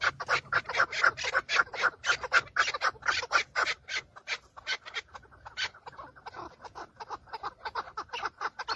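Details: Several male chukar partridges fighting and displaying to females in breeding season, filmed from inside a car: fast, dense chuck-chuck notes repeated about four times a second, overlapping callers, fading into a looser series toward the end.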